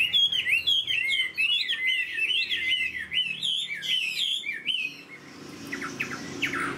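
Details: Tame Chinese hwamei kept in a cage, singing bright looping whistled phrases that rise and fall rapidly for about five seconds, then quieter broken notes with background rustle.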